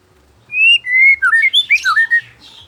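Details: White-rumped shama in afternoon song: a long clear whistle, a second level whistle, then a quick string of about seven rich, varied warbled notes, loud and close.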